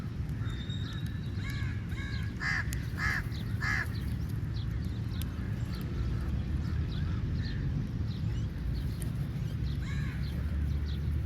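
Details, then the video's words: Several crows feeding on meat, called angry, trade a burst of three hoarse caws with scattered fainter calls around them, all against heavy low wind noise. "Different Kauwa ki Awaz | Angry Crow Bird Sound Effects"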